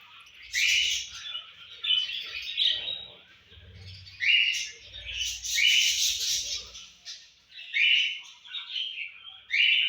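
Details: A budgerigar chirps over its breakfast food in bright, buzzy bursts of warbled notes, with soft low thumps beneath.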